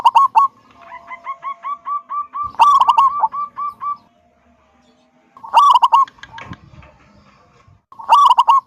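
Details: Big-voiced local zebra dove in 'kung' style song, played to entice other doves to sing. Strong rattling bursts recur every few seconds, separated by trailing series of soft, evenly repeated coos, with faint background noise.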